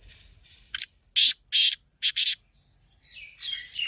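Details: Black francolin call used to lure the bird: four loud harsh broadband bursts in quick sequence near mid-clip, with a steady high insect-like whine running behind and softer chirps at the end.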